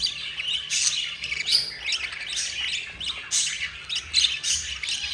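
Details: Four budgie chicks begging as their yellow mother feeds them, a fast stream of grating, high-pitched squawks with brief louder bursts.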